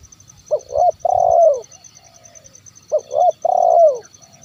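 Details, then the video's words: Zebra dove calling to lure wild birds: a short coo and a long sustained note falling at the end, the phrase given twice about two and a half seconds apart, quiet surroundings. "SUARA TERKUKUR KUK 1 MEMANGGIL BURUNG LIAR"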